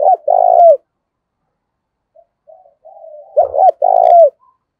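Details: Spotted dove used as a decoy to get other doves cooing: a rolling low coo, a gap with soft muttering notes, then another phrase of a short double note and a long downward-ending coo.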